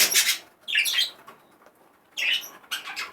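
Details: Excited male budgerigar, a caged pet bird, giving short bursts of noisy, chattering high chirps in about four clusters with brief quiet gaps between them.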